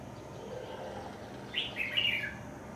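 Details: Red-whiskered bulbul, an escaped bird being trapped as it returns to a home: one short burst of bright, warbling chirped notes rising and falling, lasting under a second, over a steady low background hum.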